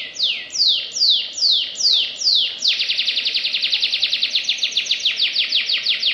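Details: Vigorous canary song recorded for tutoring other birds, in the fast 'nembak' style. Six bright downward-sliding whistles come at half-second intervals, then break into a dense, rapid trill of clipped descending notes that runs to the end.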